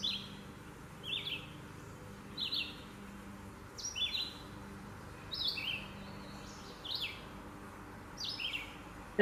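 Red-eyed Vireo song: short, slurred whistled phrases, some rising and some falling, repeated about every second and a half over a faint low hum.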